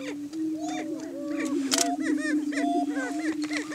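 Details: Greater Prairie Chickens displaying on a Kansas lek in Washington County during spring morning courtship to establish breeding territory: continuous low droning boom beneath rapid, bouncing whoops and cackling calls, with a sharp noisy burst near the middle.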